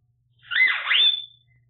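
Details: Pet African grey parrot indoors giving a single swooping whistle: a bright tone dips and rises again, then holds a level high note before fading, with only soft low hum behind.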